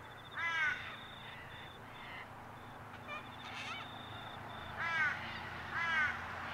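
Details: Recorded 6 November 2022 at Mt Coot-tha, Brisbane, Queensland, with a Canon R7: Sulphur-crested cockatoos give harsh, squawking calls with a downward slur, spaced by pauses, while a thin steady whistle sounds faintly behind.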